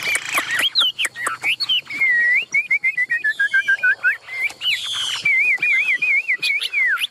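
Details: Chinese hwamei, a caged songbird with yellow bill, spread tail and high-held wings, pouring out a long whistled song: quick chips at first, then rippling, wavering whistles that rise and fall, with a few harsh notes between.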